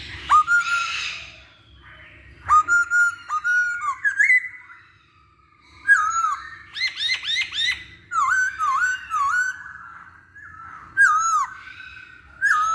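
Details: Masked laughingthrush lure song for drawing other birds into singing: clear whistled phrases that dip and rise, mixed with bursts of fast harsh chattering notes, arriving in separate bouts with short silent gaps between them.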